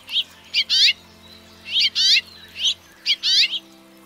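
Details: House finch, called roselin du Mexique in Canada, singing short grouped phrases: a clear chirp followed by a buzzy, descending rattled note, the pattern repeated about every second with short silences between.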